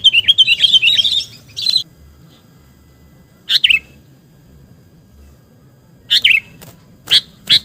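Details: Sooty-headed bulbul lure call used to attract birds: a long burst of rapid, warbling high chirps opens, followed by short sharp chirp clusters spaced a few seconds apart in otherwise quiet surroundings.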